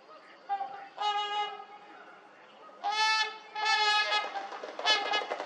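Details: Trumpeter swans at Volo Bog, northern Illinois, trumpeting while running on water to take off, giving loud, horn-like honks each about a second long, several birds overlapping in a brassy chorus near the end.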